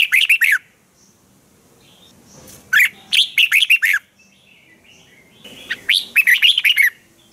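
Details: Lively red-whiskered bulbul in a cage in Thailand, sharp and clear training song: four strong bursts of quick, rolling, up-down whistles in seven seconds, each a cluster of five or six notes.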